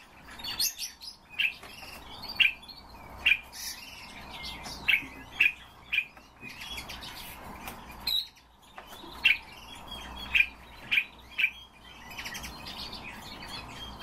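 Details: A captive common starling, warming itself and singing, gives a busy, chattering song of sharp clicks and bright whistled notes repeated at short intervals, with a few higher squeaky whistles.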